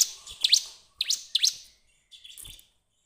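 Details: Bar-winged prinia singing as a lure for other birds: loud, sharply rising chirps in two short clusters, followed by a quieter buzzy phrase.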